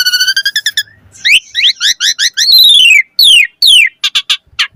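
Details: Asian pied starling in full 'isian' song meant to provoke other starlings into singing: a fast stuttering run of repeated notes, then twisting whistles, two long downslurred whistles and a few harsh clicks.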